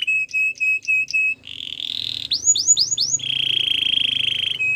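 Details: Belgian singing canary in song, meant to win over other canaries: four clipped whistles, a brief buzzy phrase, quick rising sweeps and a long steady trill ending in a short note.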